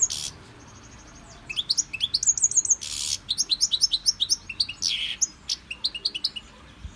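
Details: European goldfinch kept in a Victorian brass cage for song training, delivering rapid repeated tinkling notes and twittered trills broken by brief harsh buzzy bursts.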